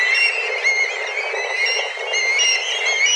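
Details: Black kites, dozens together, flying and crying out intensely for food; bright, sustained high whistles with gentle pitch bends, several birds overlapping throughout.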